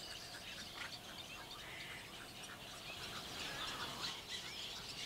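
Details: Baya weaver colony in June at Bang Khaem Fish Ponds, Nakhon Pathom, near Bangkok, in small trees shared with nesting egrets and pond herons. It makes a strange, dense, overlapping chatter of high, buzzy, wheezing notes over a low rumble.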